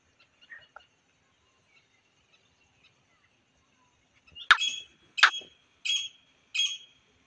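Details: Grey francolin in India, recorded during trapping of wild partridges with a pet decoy bird. After near silence, four loud harsh notes ring out about two-thirds of a second apart.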